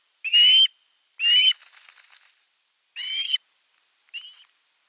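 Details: Osprey begging for fish at its nest on 10 August 2021: loud, harsh whistled yelps with a soft rustle trailing the second one, then a quieter, shorter final note.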